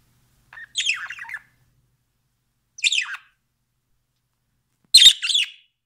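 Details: Pet budgerigar giving three bouts of harsh, chattering chirps, each about half a second long with rapid up-and-down warbling notes, separated by roughly two-second pauses; a quiet room otherwise silent.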